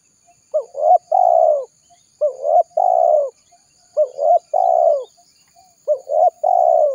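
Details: Spotted dove giving a lure call meant to bring wild doves close. Four repeated cooing phrases, roughly every one and a half seconds, each of two quick rising notes followed by a long, sinking coo.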